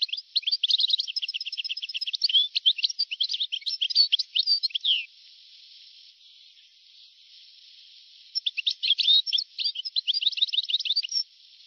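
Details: Very old recording, 1982–1990, of a European goldfinch singing long, rapid bouts of twittering, buzzy and tinkling notes mixed with quick repeated chirps. A silent stretch of tape hiss separates two bouts.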